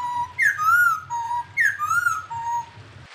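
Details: A songbird used as a training song for cage birds gives clear whistled phrases: a level low note, then a higher note slurring down, a pause and another level note, the phrase repeated twice over low background hum.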